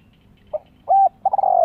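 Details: Spotted dove cooing, used to lure wild doves and train young birds: a short soft note, a longer steady coo, then a stuttering rising-falling drawn-out coo, low and resonant, with faint background hum.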